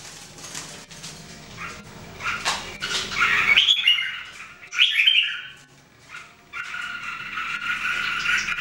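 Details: Caged Red-whiskered Bulbuls, three birds in singing training, with rapid bright warbled trills mid-clip and a sustained buzzy chatter at the end, over noisy background rustling.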